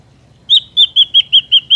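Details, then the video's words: Ashy drongo, wild natural recording used as a trapping lure: a series of seven clear whistled notes near the same pitch, repeated roughly every fifth of a second over a quiet background. "SUARA BURUNG SRIGUNTING ABU ASLI SUARA ALAM ||Cocok buat pikat dan pancingan"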